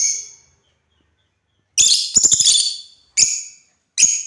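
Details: Playing African lovebirds kept as pets produce a fading chirp, a silent pause, then a fast stuttering cluster of harsh high notes followed by two more single sharp chirps.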